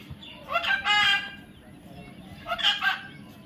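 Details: Two separate bursts of loud, hoarse squawking from a baby parrot, each lasting under a second and separated by a quiet gap.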